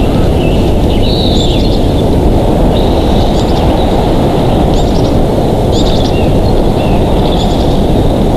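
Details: Bald eagle at its nest in Big Bear Valley on July 11, 2023, caught by a live nest camera: thin, high chittering notes in short descending bursts about every second, over a heavy, constant low wind rumble.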